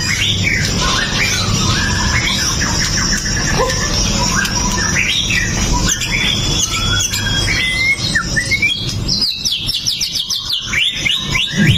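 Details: White-rumped shama in pastol song style, a fighter bird recorded on a Xiaomi Note 8 Pro to stir other shamas into song: long varied phrases of stepped whistles and slides, ending in rapid buzzy rattling bursts, steady hiss behind.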